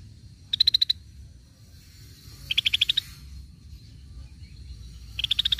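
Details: Cream-vented bulbul lure sound: three bursts of rapid, even, high-pitched chipping notes, each about half a second long, spaced about two seconds apart over low background hum.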